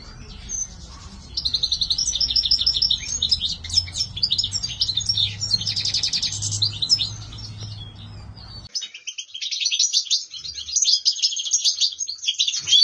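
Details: Goldfinch singing continuously in a dense, high twittering stream of trills, chirps and buzzy notes, a low hum behind the first part, then clearer song alone.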